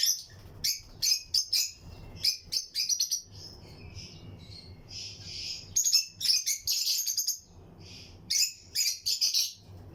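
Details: Lutino lovebirds in a flight colony of a breeding aviary, with other birds nearby: clusters of quick, shrill chirps in short bursts, a softer squeaky stretch in the middle, then more loud chattering bursts.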